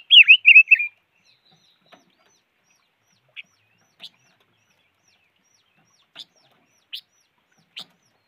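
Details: A bird described as the five-coloured bird gives a fast warbled burst of several wavering whistled notes in under a second, followed by scattered faint sharp ticks over the next seven seconds.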